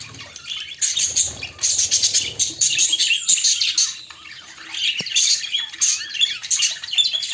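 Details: Budgerigars kept as pets, described as courting pairs, chattering in dense high warbling bursts with squeaky chirps and scratchy notes, nearly continuous with brief pauses.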